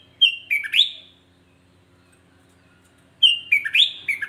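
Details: Sooty-headed bulbul, the kutilang jawa, singing to provoke other bulbuls: two bright whistled phrases about three seconds apart, each a quick run of falling and rising slurred notes, over a quiet background.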